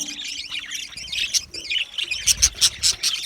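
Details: Budgerigars in an aviary, chirping in a dense overlapping flock chorus of high, scratchy chirps and chatter, growing louder with sharp bright notes near the end.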